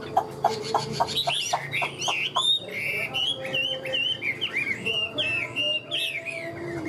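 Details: A caged Hwamei, said to sing very well and fight well, opens with rapid repeated staccato notes, then moves into looping, warbling whistles that swoop up and down over a steady background hum.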